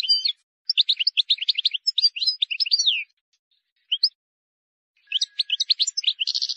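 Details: Wild European goldfinch song, flawless and meant for teaching young birds: quick bursts of bright, liquid twittering and tinkling notes, a short pause with two isolated chips, then renewed rapid twittering ending on a drawn-out buzzy note.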